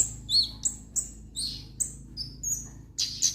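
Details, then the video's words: Orange-headed thrush, called kemade, giving spaced high whistles that slide downward, about three a second, ending in a denser burst of shrill twittering. "burung kemade gacor dorr"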